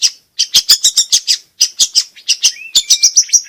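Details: Long-tailed shrike in vigorous song, used to prompt quiet shrikes to sing and to train young birds: quick bunches of harsh chips, then a thin level whistled note near the end.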